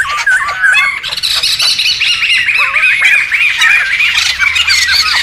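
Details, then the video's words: Several wild laughingthrushes calling together, a recording meant for luring and tutoring birds: a continuous tangle of bright looping whistles over rough, squawking chatter, loud throughout. "SUARA PIKAT DAN MASTERAN SEMUA BURUNG POKSAY RIBUT ALAM LIAR"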